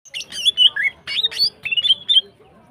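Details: Female greater green leafbird, in breeding condition, singing in the morning: rapid jumbled run of high chirps, slurred whistles and short twittered phrases in three quick bursts, with no other clear sounds.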